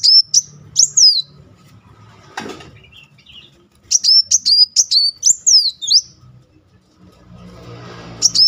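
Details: Kolibri muncang sunbird, a lure recording meant to provoke a silent bird into singing: bursts of very high, sharp chirps with quick falling sweeps, given in a rapid run near the middle after a single early pair, over faint background hum.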